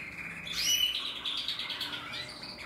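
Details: Portuguese Harlequin canary from a canary breeding stock, recorded in 2024 while singing. A faint, high warbling song of thin rising and falling notes and short trills plays over steady background hiss.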